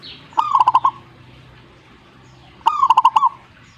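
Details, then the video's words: Two rapid rolling coo phrases from a zebra dove replying to another bird, each a burst of clipped pulsed notes lasting under a second, separated by a quiet pause of about two seconds. "suhu perkutut jika nyaut Burungmu bagus berarti"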